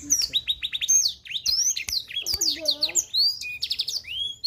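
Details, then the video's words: Black-throated canary in full, highly active song: a rapid, continuous stream of high, sharply sweeping whistles and trills, with quick repeated descending notes and buzzy rising slurs, with almost no pauses. "Blackthroat Super Gacor"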